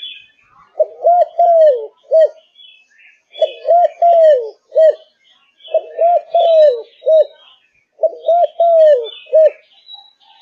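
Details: Spotted dove of the Malaysian type in full form, repeating a four-part coo phrase about every two and a half seconds: short note, quick double, long falling note, short closing note. Faint twittering from other birds is heard throughout.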